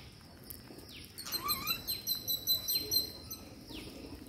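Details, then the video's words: Green parakeet at feeding time: a run of harsh, buzzy high chatter notes pulsing about three times a second for nearly two seconds, over thin descending chirps from other birds and steady background hiss. "Green Parakeet Feeding Day"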